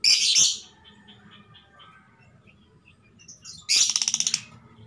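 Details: Female lovebird in breeding condition calling the male: an opening harsh shrill burst, soft scattered twitters, then a fast pulsed series of high grating chirps; faint hum in the background.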